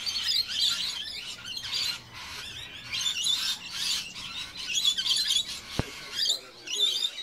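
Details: Rainbow lorikeets feeding on sugar water at a suburban feeder, giving dense shrill screeching chatter in overlapping bursts with brief lulls, a sharp click partway through.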